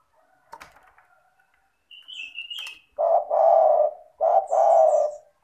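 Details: Spotted dove calling, played to rouse doves that will not call. A thin, high whistle from another bird comes first, then two loud, deep coo phrases, each beginning with a short stuttered note.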